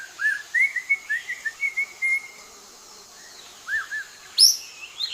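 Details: Leafbird singing while hidden in green foliage: a quick run of short, clear whistled notes, slurred up and down, for about two seconds. After a pause come two more slurred whistles and sharp, high squeaky notes near the end.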